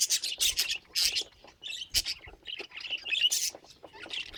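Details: Pet budgie warbling in short, choppy bursts of scratchy chirps and squeaks, with brief pauses between phrases and a soft grating note in the middle.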